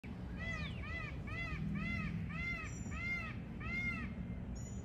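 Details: Peacock calling outdoors: a run of seven loud, nasal, arched notes, evenly repeated about every 0.6 seconds over a low rumble of background noise, with faint thin high chirps from other birds near the end.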